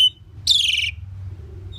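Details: Asian pied starling (Gracupica contra), song.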